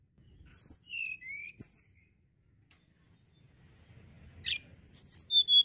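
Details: Sunda blue robin singing: two short bursts of high, sliding whistled notes, a quiet gap, then more sharp high notes near the end over a faint low hum.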